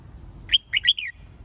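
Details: Red-whiskered bulbul singing for competition-song training, one quick phrase of four bright, clear whistled notes that rise and fall, over a faint low hum.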